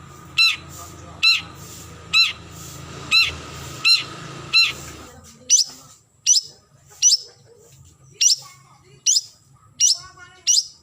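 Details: Long-tailed shrike calling a rival: harsh buzzy notes repeated about every second, then sharp downslurred high whistles at a similar steady pace.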